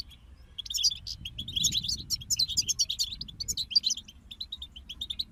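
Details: Goldfinch group song meant to stimulate songbirds: a busy stream of high, tinkling twitters and buzzy trills that thickens into an overlapping chorus midway.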